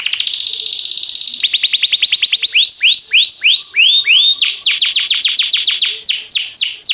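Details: Training song of a canary of timbrado type: a fast buzzy rattle gives way to rolling tours of falling whistled notes, first quick, then slower upslurred notes, then another rapid run of descending notes, loud and clean.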